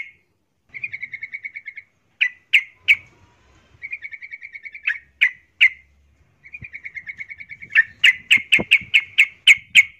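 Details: Female yellow-vented bulbul in breeding condition calling a male: fast, even rattling trills lasting about a second, separated by single sharp chirps, ending in a string of loud, clipped notes roughly three per second.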